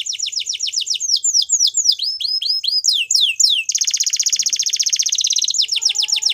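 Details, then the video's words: Male Belgian canary in full song, a rapid series of downward-slurred whistled notes, about four per second, slowing into longer sweeps before a dense buzzing rattle and a return to quick slurred notes. "Canary Sounds Male | Belgian Canary Singing"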